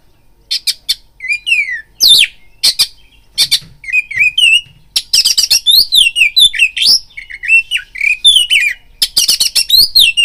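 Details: Oriental magpie-robin singing a lure song meant to raise another magpie-robin's fighting drive: loud, rapid phrases of sharp whistles, swooping up-and-down notes and harsh chattering bursts, delivered in dense clusters with brief pauses.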